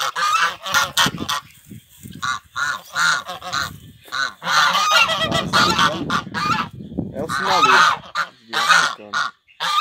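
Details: African geese, a breeding pair kept as watch birds on a Brazilian farm to warn of anyone arriving, honk in bursts: quick short honks, a pause, then a long run of strident calls mixed with low handling noise.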